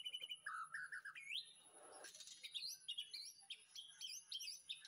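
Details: Afternoon song from a white-rumped shama kept in a backyard aviary, recorded as master song: a string of short whistles climbing in steps, a brief rushing noise, then varied chirping notes.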